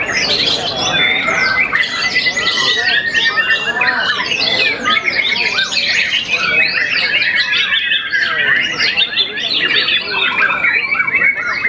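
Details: A young white-rumped shama, moulted once and a contest champion, keeps up a long, varied song of fast chirps, twittering runs and drawn-out whistles, dense and continuous over the whole recording.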